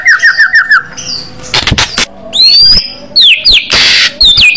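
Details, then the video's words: White-rumped shama singing in an aggressive fighter style with a loud voice: a quick run of five falling whistled notes, then harsh broadband bursts and sharp rising whistled sweeps. "murai batu bergaya agresif burung fighter suara keras tembakan jitu"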